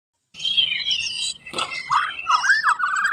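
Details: White-rumped shama in loud full song: a rich run of whistled, warbling phrases with sliding notes, first high and fluttering, then lower looping whistles rising at the end, with one sharp click midway.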